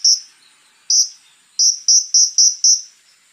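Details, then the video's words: Konin, or scarlet-backed flowerpecker, in full voice rough-style song: two well-spaced shrill high notes, then a quick run of five evenly repeated sharp chips. "SUARA BURUNG KONIN TEMBAKAN KASAR GACOR FULL ISIAN JEDA MEWAH"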